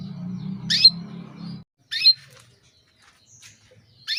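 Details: Female canary calling a male to bring on breeding condition: a low buzzing hum at first, then three sharp descending chirps spaced over about three seconds.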